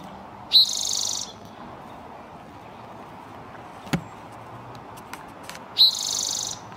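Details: Male spotted towhee singing in spring, March 2024, northern California, probably seeking a mate or claiming territory; a short sharp note followed by a high buzzy trill lasting under a second, repeated about five seconds later, with a few faint clicks between.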